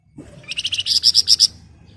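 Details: Flamboyan bird's nyerecet phrase in ngebren rapat style: a single rapid series of about ten high, buzzy pulses that grow louder and slightly higher toward the end.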